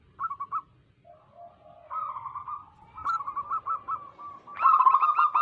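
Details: Wild zebra doves from the local area, used as trapping bait: scattered soft coos and lower notes building into a loud rapid rolling trill at the end.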